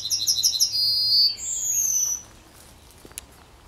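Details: Yellowhammer singing at the edge of Kabaty forest: a quick run of about six high, sharp repeated notes, then a couple of held notes ending in one long, drawn-out, slightly falling whistle, followed by quiet with faint distant ticks.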